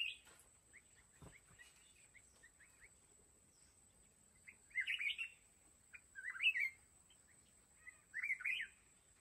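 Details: Red-whiskered bulbul from the mountains at a fighting trap: soft scattered chirps, then three loud rolling warbled phrases spaced about one and a half seconds apart, with a steady high whine behind.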